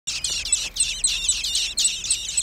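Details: Young common blackbirds giving high, thin, scratchy calls in quick overlapping bursts, each burst a fraction of a second long, packed closely with brief gaps.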